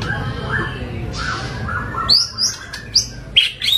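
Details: White-rumped shama song in a full, varied, harsh style: short whistled and chirped notes, some high and sharp, in a scattered sequence over a low background hum.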